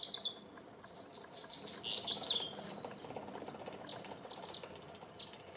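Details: Eurasian crag martin calling at Penha Garcia, Portugal: a few short, high chirps clustered near the middle, with a brief chirp at the start, over a steady low background hiss.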